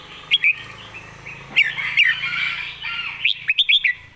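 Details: Clearly delivered 'master song' from a red-whiskered bulbul: scattered loud, sharp whistled notes, then a fast run of four bright rising-falling whistles near the end, with a low hum and background bird chatter.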